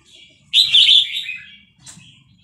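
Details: Vietnamese red-whiskered bulbul in a cage sings fast-linked phrases, excited by a played chick recording: one loud, bubbling warble fading into a soft whistle, then a brief chirp.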